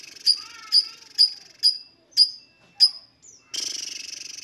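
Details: Lovebird sounds meant to set other lovebirds singing: six sharp, high chirps about half a second apart, a faint low whistle beneath, then a dense buzzy chatter.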